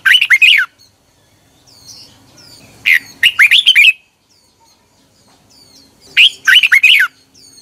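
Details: Morning song of a red-whiskered bulbul, recorded in 2021 as lure audio for training. Three phrases of loud, quick, looping whistles arrive a few seconds apart, with faint high chips between them.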